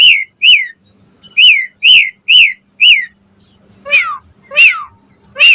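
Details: Asian pied starling song played to get starlings singing back: a steady series of falling, slightly nasal whistled notes, roughly two per second, with a short gap before rougher versions.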